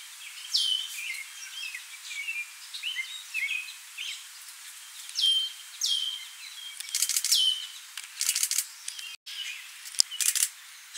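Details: Worm-eating warbler feeding on midges at Montrose Point, Chicago, in May 2016: thin, high chips and short sweeping notes in loose bursts, with a few harsh rustling bursts and a sharp click near the end.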